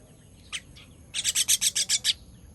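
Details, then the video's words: Young bird calling as it is fed on 18.06.23: one lone chirp, then a rapid run of eight harsh, bright chirps at an even, quick pace. "Feeding baby bird"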